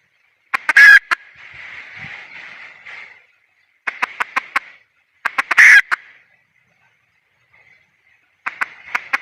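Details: Female red junglefowl giving a loud harsh squawk, then groups of quick clipped clucks and a second squawk, separated by soft breathy noise and silence.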